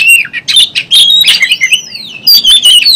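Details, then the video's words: Oriental magpie-robin singing vigorously in an excited fighting state with its tail spread: loud, fast bursts of whistles and harsh squawky notes with sweeping slurred phrases, brief pauses between bursts. "kacer Gacor ngobra, kacer buka ekor, kacer gacor tarung"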